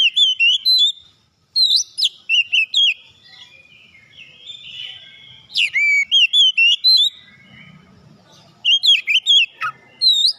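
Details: Oriental magpie-robin (kacer) song used as a lure to prompt other birds to sing: loud clear whistled phrases of quick looping, wavering notes around high pitch, in bursts separated by short pauses, with a faint low hum between.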